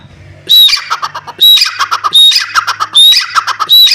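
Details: Grey francolin, known locally as Dakhni teetar, giving loud, harsh, squawky bursts. Each burst opens with a short thin whistle and is followed by rapid grating notes. The bursts repeat roughly once a second, with a low hum between them.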